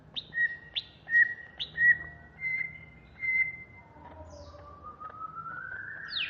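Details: Agitated Banyuwangi greater green leafbird in ngentrok song: a run of clear repeated whistles on one pitch, about one every half second, then a long, slowly rising glide ending in a sharp upward sweep.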